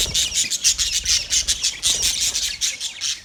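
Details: Budgies chattering steadily, a dense run of rapid scratchy chirps and squawks pulsing several times a second without pause.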